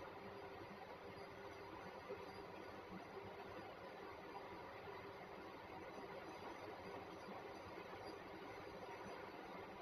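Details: Faint, even hiss and distant engine-like rumble throughout, and no animal calls heard.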